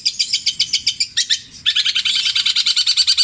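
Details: Caged long-tailed shrike from Java repeating its borrowed songs of tengkek buto, kuntilanak and sparrow: evenly pulsed high notes, a short squeaky break, then a quick rolling trill held to the end.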